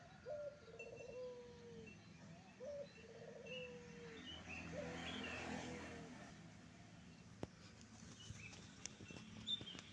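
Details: Wild zebra dove singing near a road. Two rolling, trilled coo phrases with level tails fill the first three seconds. The roar of a passing motorbike then swells and fades, followed by scattered sharp clicks.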